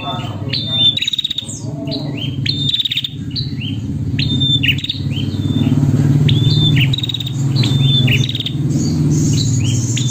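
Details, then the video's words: A female prinia calling to a male gives quick bursts of sharp, high chirps, several notes a second, with a steady low rumble of traffic or machinery underneath. "Prenjak Betina Memanggil Jantan"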